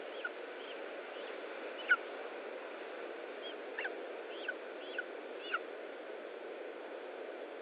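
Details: Lesser spotted eagle feeding at its nest in Estonia, 20 July 2012, mid-afternoon at 15:45; scattered thin, arched whistled notes, one sharper and louder, others faint, against steady hissing noise.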